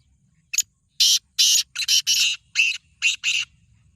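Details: Black francolin delivering one loud, raspy phrase of about eight harsh bursts in quick, uneven rhythm over a faint low hum.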